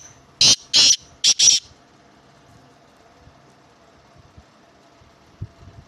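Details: Black francolin, called Sindhi or kala teetar, giving four loud, harsh grating notes in two pairs within about a second, followed by quiet with faint low rustles.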